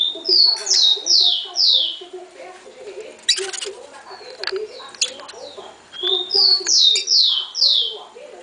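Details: Female rufous-collared sparrow soliciting mating: runs of four or five high descending slurred chips, repeated twice, with softer low twittering and clicking noises between them.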